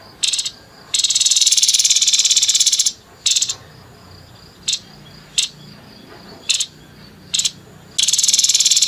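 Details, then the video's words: Rough 'nembak kasar' singing of a grey-headed babbler: two long grating rattles at the start and end, with several brief sharp buzzy bursts spaced about a second apart between them. "TEPUS KEPALA ABU ABU NEMBAK KASAR"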